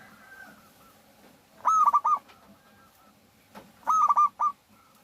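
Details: Local zebra dove singing actively, used as a lure to prompt other doves to sing: two short cooing phrases about two seconds apart, each of four quick rounded notes with a stuttering rhythm, over a faint background hum.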